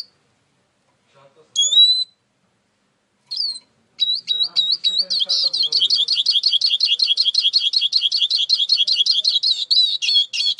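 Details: Eurasian siskin starts with a few isolated high descending notes, then breaks into a fast, even, rapidly repeated twittering trill that continues for several seconds.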